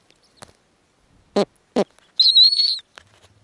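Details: Snowy owl at the nest, the female offering food to small owlets. Several sharp knocks and clicks, then a single wavering, high whistled squeal lasting over half a second, and a faint low hum afterward.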